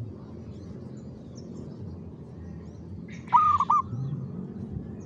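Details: Zebra dove (perkutut) giving one brief rhythmic coo phrase of soft rolling notes near the end, after several seconds of quiet background murmur.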